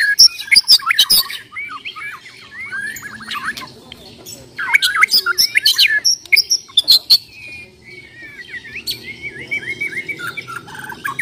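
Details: Bornean white-rumped shama in a fighting bout: dense outbursts of shrill whistles, clicks and scratchy notes, then a softer stretch of rambling twittering phrases before another loud, busy burst.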